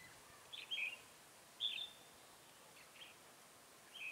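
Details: Red-whiskered bulbul used as a trap decoy to draw in wild birds, recorded 7 January 2018: a few clear chirped phrases, each a quick bright note bending down, spaced about a second apart against quiet outdoor hiss.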